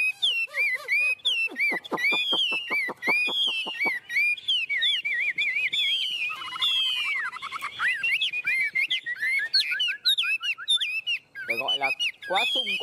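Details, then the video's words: Tame captive Chinese hwamei perched on a person's hand, singing energetically: a fast run of sharp downward-swept notes, then loud, varied slurred whistles and twittering phrases running almost without pause. "Họa mi ôm cóng cực sung trên tay"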